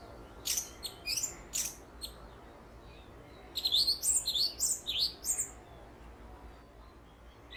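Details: Perched orange-headed thrush giving long calls mixed with mimicry of other birds' calls: a few sharp high notes, then a quick run of rich, varied whistled phrases over steady low background hum.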